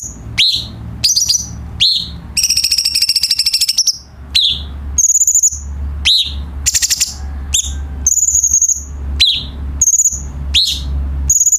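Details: Cucak cungkok bulbul song used as a tutor recording for training captive birds: high whistled notes alternate with sharp downslurred chirps and a dense buzzy rattle, with a steady low hum underneath.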